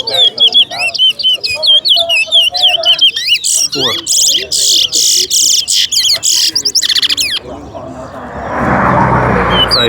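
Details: Chestnut-bellied seed finch, known locally as towa towa, singing in a bird race at a park: rapid sweet twittering warbles and trills in the first seven seconds, then a broad hiss; a man counts aloud nearby.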